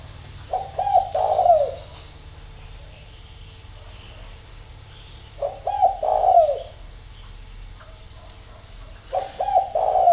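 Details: Repeated song of a spotted dove in the early morning, Ba Vì, Hanoi, Vietnam: three similar coo phrases of quick notes ending in a drawn-out falling tone, spaced about four seconds apart, with faint high bird chirps.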